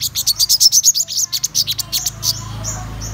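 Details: Black-throated sunbird giving a quick series of about fifteen bright, thin chirps that climb slightly in pitch, then a couple of faint drawn-out high notes fading over a low steady hum.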